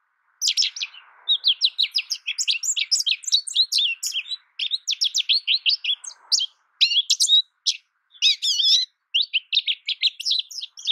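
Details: Nearly unbroken American goldfinch song lasting the whole stretch: quick, bright twitters, trills and rising and falling slurred notes, with a faint low hiss in a couple of spots.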